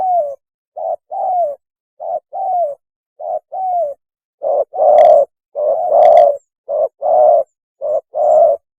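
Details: Spotted dove mating call used as a lure, a long series of paired coos, each short note followed by a longer downslurred hoot, growing louder and fuller in the second half.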